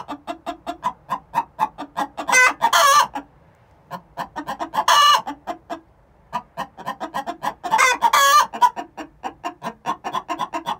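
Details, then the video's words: Two hens, six months old, calling the egg song before laying an egg: long runs of rapid clucks with short silent gaps, each run topped by loud raspy squawks. "Chicken song before they lay"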